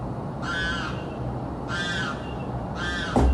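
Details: Constantly screaming bird, day and night, in South Florida: three drawn-out, hoarse screams over about three seconds, ending with a knock.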